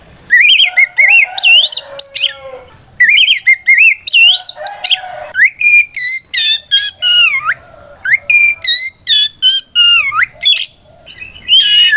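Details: White-rumped shama calling out an opponent with energetic song, used to make other shamas answer; long rich phrases of slurred whistles, rasping notes and chattering elements, with few pauses.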